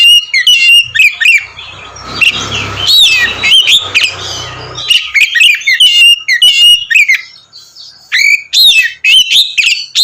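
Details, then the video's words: Oriental magpie-robin in vigorous ngeplong song used to provoke others of its kind: rapid clear whistles and clicking chatter, partly over a low rumbling background noise early on. "kacer ngeplong gacor mancing emosi kacer lain"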